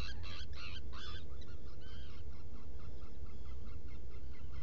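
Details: Nest-burrow recording of Black guillemot, Seal Island NWR, Maine, 20 June 2018 before dawn. Several loud, bright, quickly repeated notes open the clip, then fainter rhythmic chatter over steady low-frequency hum.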